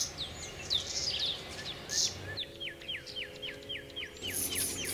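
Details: Common redstart singing: quick runs of high whistled notes, then a steady series of short downward-hooked notes repeated about every third of a second, with faint low hum beneath.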